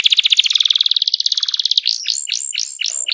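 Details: Canary singing loudly to coax other birds into song: a fast rattling trill of rapid pulses, followed by several repeated upward-swooping whistled notes.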